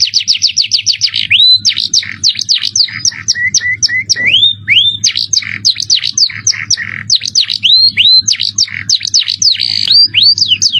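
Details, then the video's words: Canary in an Indonesian masteran tutor recording, cengkok mewah style with jerih high piercing voice: rapid high trills, buzzy rising whistles and quick descending sweeps in a long unbroken run, over a steady faint low hum. "Masteran kenary cengkok mewah suara jerih"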